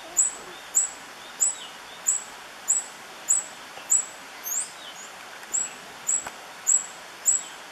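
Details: Tawny-bellied hermit at La Romera reserve, Sabaneta, Antioquia, Colombia, recorded in 2013: a very high, thin, sharp note with a downward flick, repeated steadily about every 0.6 seconds over a soft hiss of background noise.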